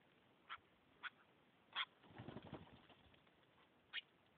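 A blue jay gives four short, harsh notes spaced irregularly over four seconds, with a soft burst of rustling or wingbeats between them.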